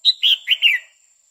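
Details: Female red-whiskered bulbul singing to stir up a male, a quick phrase of four clear whistled notes, a high thin opener then three warbled, downslurred notes, with a steady faint high-pitched hiss behind.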